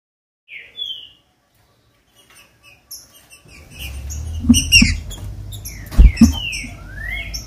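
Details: ['Green-winged saltator song, played to stir captive birds into singing. A lone upslurred whistle opens, then short clipped notes, then loud slurred whistled phrases rising and falling, over dense clicking and tapping noise.']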